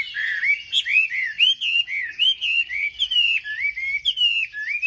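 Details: Wambi lure song to provoke other birds of its kind. Clear whistled notes, each a short rising or curling slur, follow one another at a steady, brisk pace.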